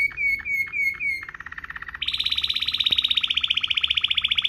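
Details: Waterslager canary song used as a tutor recording for training canaries: a few slurred whistled notes, then a low rapid roll, switching to a higher, louder fast trill of evenly repeated pulses.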